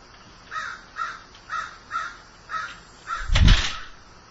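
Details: Grieving crow calling: six hoarse caws about half a second apart, followed by a loud thud-like knock that briefly covers the last call.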